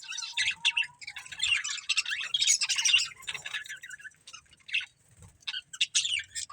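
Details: Two budgies from a breeding pair twitter busily: quick scratchy chirps run together into a continuous high chatter, easing into scattered notes, with a faint steady tone early on.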